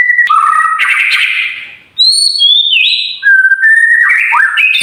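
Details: White-rumped shama training song for birds that will not sing: a buzzy, rich burst of notes fading out, then high clear whistles stepping downward and a series of rising, slurred whistles.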